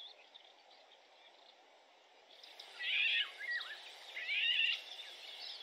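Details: A male Eurasian golden oriole on 31 May 2021 in Territorio Lince gives two bursts of mellow, warbled phrases with dipping whistles, about a second apart, over a steady hiss of background noise.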